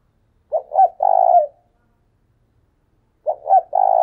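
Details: Decoy spotted dove giving its brisk "thúc sung" calling: two deep coo phrases, each a short double note followed by a sustained vibrating coo, about three seconds apart, nothing else audible.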